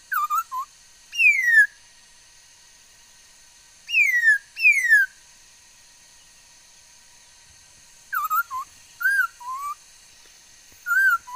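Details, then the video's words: Laughingthrush singing a varied repertoire, recorded 13 August 2021: spaced bursts of loud downslurred whistles alternating with groups of short wavering notes, with pauses of several seconds between phrases. "noog sab hwj txawj quaj tau ntau yam suab khúớ mầi hót"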